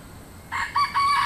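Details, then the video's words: Rooster crowing in the countryside: a loud, hoarse, harmonic crow in three rising-and-sustained segments, starting after half a second and still going at the end, over a steady background hiss. "The sound of cocks crowing"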